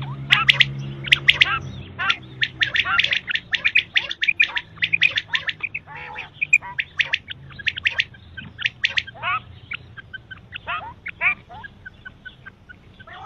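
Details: Quail, male and female per the description, heard for morning and night calling: a rapid, dense run of sharp chirps and squawky notes, many overlapping, fading slightly toward the end over a low background hum.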